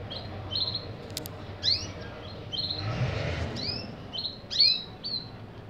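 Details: Canary singing: short, bright whistled notes, several sweeping upward, delivered in quick separate bursts with brief pauses, over a low steady background hum and a soft rushing noise midway.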